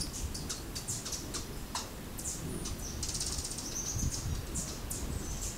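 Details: Violet-capped hummingbird, near-endemic from eastern Panama to northwestern Colombia, giving thin, very high chips and short tinny trills, scattered irregularly, over a steady low rumble with faint voices.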